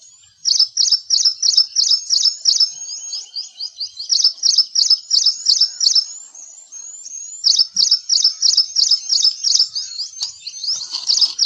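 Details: Ashy Prinia from India repeating strident high chirps in long rapid series, about three notes a second, with a brief softer stretch midway before resuming loudly; faint high background chatter throughout.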